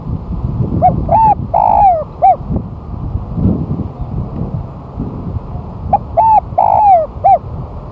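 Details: Spotted dove lure song after a month-long moult, the bird placed on the ground: two phrases of short coo, rising note and long descending coo, each ending with an extra clipped note, amid low rumbling noise.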